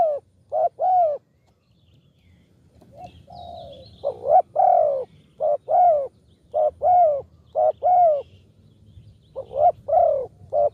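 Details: Repeated low coos from a spotted dove, a call used to lure doves: short paired and tripled notes with a longer drawn-out coo, pausing about two seconds between phrases, with faint chirping in the background.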